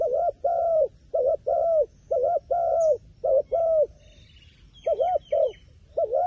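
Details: Wild pigeon, described as wary of a phone camera, giving clear, short, rounded cooing notes in quick pairs and triplets. The groups repeat about once a second. Faint high chirps from other birds come in near the middle.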